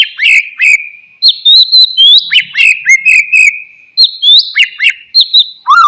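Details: Energetic white-rumped shama song for rousing a sulking, silent bird: continuous bright whistles, looping slurred notes and rapid repeated chips, ending in a lower whistled flourish.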